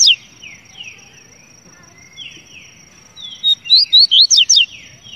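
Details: Double-collared seedeater song: a burst of about seven sharp, high slurred whistles near the end, loud and quick, after softer falling notes from other birds and a steady thin high tone.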